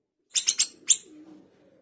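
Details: Small minivet singing actively, recorded as a tutor track for training fighter songbirds: four sharp, high, thin chirps in quick succession, the last slightly separated, over a faint low background hum.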